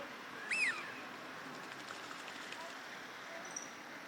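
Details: Wild Eurasian wigeon wintering on a park pond in Chiba, Japan, recorded March 2025; one clear, sharp whistle that sweeps up and drops away, then near silence with faint distant high ticks.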